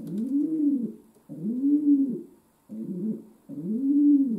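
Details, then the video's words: Four deep, arching coos from a pet domestic pigeon kept indoors, each swelling and fading over roughly a second with short gaps between, under a faint steady hum. "My Pigeon Pearl Gave A Concert"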